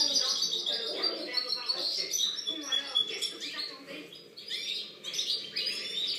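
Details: A European goldfinch in full song, recorded 2013: a long, rambling medley of tinkling notes, buzzy trills and quick chirps, repeated at a rapid, uneven pace, with some low murmuring in the background.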